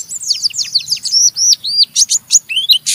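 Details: An Oriental white-eye chatters roughly in the ngeriwik style to provoke others into singing: continuous rapid, high, squeaky notes, sweeping down and up in quick succession for three seconds.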